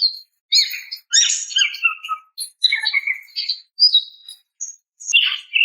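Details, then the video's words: Female greater green leafbird calling a male: harsh, scratchy squawks and broken chatter at varied pitches, with short gaps and a loud rasping burst near the end. "TERAPI BURUNG CUCAK IJO MACET DAN STRES DENGAN SUARA BETINA MEMANGGIL JANTAN"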